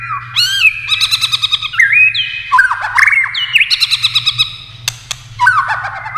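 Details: Competition song of a white-rumped shama, a rich many-voiced singer: varied clear whistles interleaved with fast rapid-fire trills, phrases rising and dropping in steps, a sharp click near the end, continuous across the stretch.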